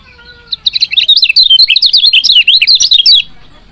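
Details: Female lemon-bellied white-eye giving a rapid, dense run of high chirps, used to stimulate lazy males to sing. Sharp, twittering notes tumble up and down with no pause, starting after half a second. Faint traces of other sounds beneath.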